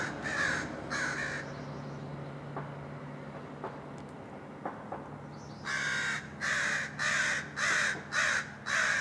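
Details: American crow in Vancouver, Washington, USA, on 21 May 2010, giving harsh, hoarse caws: two at the start, then a rapid run of six about twice a second, over a low steady hum.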